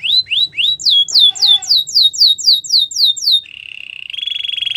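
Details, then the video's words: Belgian canary singing loudly and clearly: a repeated series of swooping notes that fall from high to lower pitch, about four each second, followed by a steady buzzy roll and a fast rattling trill at the end. "Belgian canary singing"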